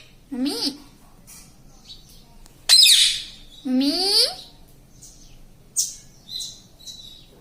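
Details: Pet parrot copying words, said to say "mummy" and "mitthu": low nasal voice-like syllables broken by a harsh burst and a rising drawn syllable, then short high chirps near the end.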